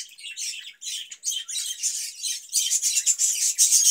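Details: Budgerigar in a cage during summer, kept on cucumber, keeps up rapid buzzy chatter that becomes denser and louder from midway, with fast repeated pulses.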